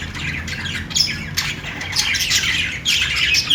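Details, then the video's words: Budgerigar flock giving dense, overlapping squawks and twittering chirps, high and raspy, nearly unbroken throughout, over a steady low background hum. "parakeet chirping sounds | budgies playing sounds"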